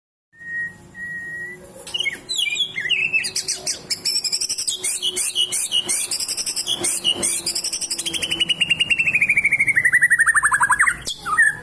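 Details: White-rumped shama pouring out its full repertoire of learned material: a thin whistle, then dense rapid rattles, chirps and buzzy trills, ending in a long descending series of clipped notes, all loud and continuous.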